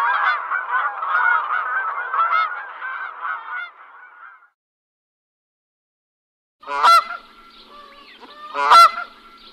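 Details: Goose making noise: a few seconds of overlapping nasal, harsh gabbling honks, a pause of silence, then two loud, sharp single honks about two seconds apart with quieter calling between.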